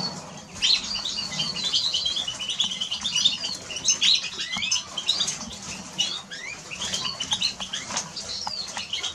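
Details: Eurasian siskin in continuous song, a dense, rapid high twitter of chirps, trills and short slurred whistles running without a break, varied in pitch and very busy throughout.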